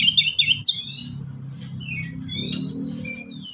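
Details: ['Caged oriental magpie-robin kept as a pet, its song used to prompt lazy birds to sing: quick tumbling whistles at the start, then thinner high notes over a steady low hum.']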